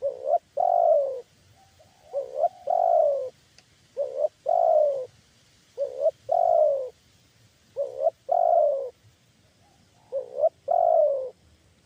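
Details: Spotted dove (tekukur) with a big, deep voice used as a lure to attract wild doves; low hollow coos in short phrases, each a quick rising note and a longer falling one, repeated about every two seconds; faint rustling behind.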